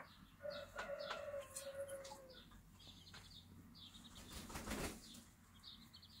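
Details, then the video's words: Bantam hen with her two-week-old chicks on a small backyard farm, teaching them. A drawn-out, slightly falling hen tone lasts about two seconds, with high thin chick peeps scattered throughout and a rustling burst near the end. "beautiful bantam mom teaching her 2 week old chicks"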